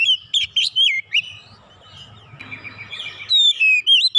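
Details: Oriental magpie-robin pushing out stored 'isian' song material: quick, emphatic whistled notes that twist up and down, a soft chattering gap, then renewed loud rising whistles.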